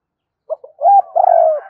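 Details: Spotted dove calling its mate: a couple of soft clipped notes building into a long, throaty, slightly falling coo.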